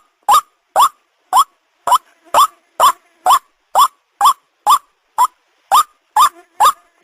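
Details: Ruak-ruak call of a white-breasted waterhen, used to lure birds for catching: some fourteen coarse, upslurred croaks at a brisk, fairly even pace, with faint low murmurs between a few notes.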